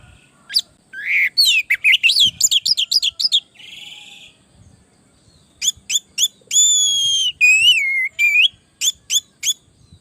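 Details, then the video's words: Orange-headed thrush song used as a training lure for other birds: varied quick whistles, fast repeated rising notes, a raspy buzz, then sharp clicks and long wavering whistles, with faint background rustling. "Suara burung Anis merah gacor masteran Anis pancingan suara burung Anis merah"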